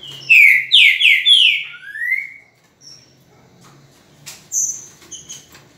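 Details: A green-winged saltator, recorded on 10 November at 8:05 in the morning, sings a loud phrase of rich, slurred whistles ending in a rising note. After a pause, a thinner, high whistled phrase follows.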